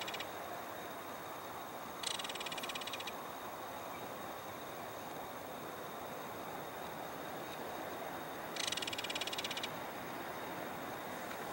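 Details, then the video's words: A male belted kingfisher at Beaverdams in December gives its trilling call: two harsh, dry rattles about six seconds apart, each roughly a second long, over a steady hiss of wind or water. "Belted Kingfisher Call"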